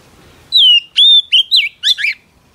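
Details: Female Oriental magpie-robin whistling to stir a male into singing: a long falling whistle, a steady whistle, short twittering notes, then two rough chattering bursts, over faint background hiss.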